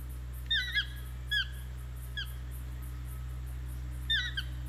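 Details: A toucan in Ojochal, Costa Rica gives loud, yelping notes that curve downward, in pairs and singles a second or so apart, over a steady low hum.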